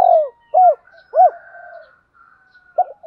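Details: Male and female spotted doves calling to lure and provoke a rival dove; three short arched coo notes about half a second apart, then a quiet gap with faint higher streaks and a final clipped coo.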